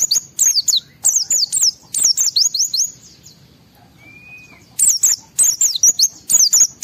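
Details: A worked-up white-eye pours out quick trills of thin, high slurred notes, each swooping down then up, in two dense bursts split by a silent spell holding one soft, lower drawn-out whistle; meant to get other white-eyes singing.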